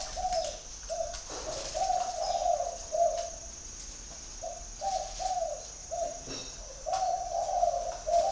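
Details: Low rolling coos from a spotted dove, short notes leading into longer slurred ones, repeated in quick phrases about twice a second, against a steady high hum and a few faint taps.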